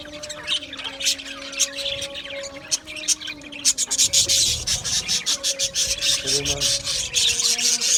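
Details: Australian budgies in an aviary colony; quieter scattered chirps for the first half, then dense rapid chattering and clicking chirps, with a steady low tonal hum underneath.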